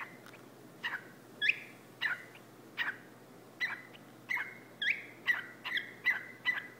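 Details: Pet whiteface lutino cockatiel, male, indoors on a couch, barking at its owner's foot: short sharp harsh calls, some with a rising whistled tail, spaced irregularly at first and then coming roughly every half second.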